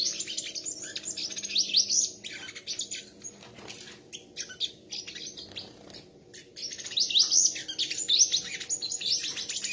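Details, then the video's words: Competing sunbird songs, bursts of very high rapid twittering and sharp rising notes, separated by brief gaps with scattered chirps. "chim hút mật hót đấu"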